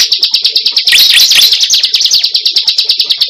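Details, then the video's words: Cible used as a lure, giving a rapid, regular, high trill of ticking notes at about three per second, broken in the middle by a short, louder burst of jumbled squeaky whistles. "Pikat suara burung cible terbaru sangat ampuh"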